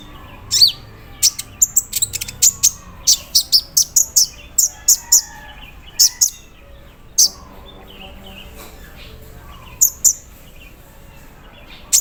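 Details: Caged sunbird during morning dew-misting, producing a long run of high chipping notes with machine-like stutters and brief rattles. The run thins to a few isolated ticks after a lull, part of an embroidery-machine styled song.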